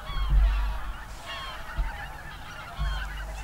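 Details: Whooper swans at late afternoon or early evening in a national park on 7 February 2023, with geese present, give overlapping trumpeting, bugle-like honks, several calls in quick succession, over a low rumble of wind.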